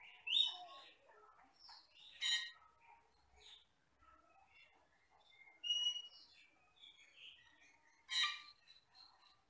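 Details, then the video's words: Asian glossy starling, a forest bird used for training songbirds, singing sparse phrases: thin high whistles, soft warbles and several loud harsh rasping bursts spaced a few seconds apart over a quiet background. "MASTERAN BURUNG HUTAN CAMPERLING (CUCAK KELING)"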